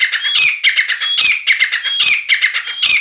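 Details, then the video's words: Grey francolin of the Sindhi type, a 'chakri wala' caller offered for sale and said to reach 270 calls a minute: continuous harsh, squeaky phrases with clicks, repeated about every three-quarters of a second. "Aik mint ki 270 awaz + chakri wala teetar"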